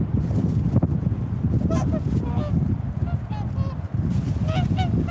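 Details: Swans calling: several short, nasal, harmonic honks, some rising then falling, come in loose bursts over a steady low rumble of background noise.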